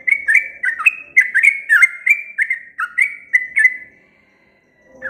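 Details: Sooty-headed bulbul singing a long, energetic series: quick whistled notes, each dropping in pitch, run together for nearly four seconds, ending in a drawn-out fading whistle, then a short lower note; faint hum behind.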